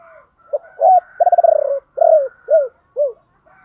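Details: Decoy spotted dove giving the 'ba hậu' call pattern, also named 'bổ ba', to lure wild doves: two short coos, a fast stuttering roll, then three low downward-bending coos, with a faint soft hum in the background.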